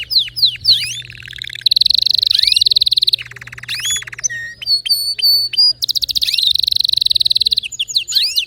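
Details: Singing canary with distinctive notes, mixing sharp rising whistles, loud buzzy sustained trills, a lower rattle, clipped repeated notes and another long rolling trill.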